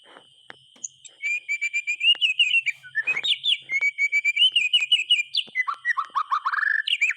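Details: Energetic white-rumped shama song meant to set quiet birds singing: long strings of rapid whistled notes rising and falling, a harsh rasp midway, then a quick descending series of rich whistles. A steady high tone sounds underneath.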